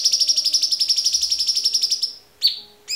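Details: White-rumped shama tembakan song: a steady, very fast high trill of even pulses for two seconds that fades, then a sharp falling whistle and the start of another phrase.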